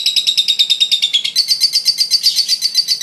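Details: Fighter lovebird giving its ngekek, a long laughing call used to lure baby lovebirds: loud, quick, high-pitched chattering pulses that jump slightly higher halfway through.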